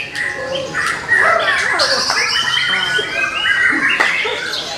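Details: Young wild-caught white-rumped shama with a repertoire said to span the whole natural world; steady high whistles and chattering notes, fairly even level, a few sharp knocks in the background.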